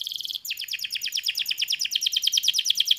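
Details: Canary producing a rapid pulsing trill, the notes repeated about three times a second with a bright ringing quality, soft low background rumble.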